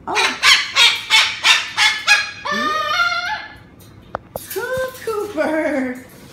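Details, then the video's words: Cockatoo with an attitude yells at its owner for videotaping him: harsh, rapid screeches, about three per second, then drawn-out rising and falling squawks with a few clicks between. "Cockatoo YELLS at owner"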